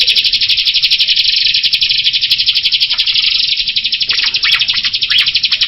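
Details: Jalak rio myna producing a loud, steady buzzing rattle of rapid pulses about four per second, with a few rising chirps near the end.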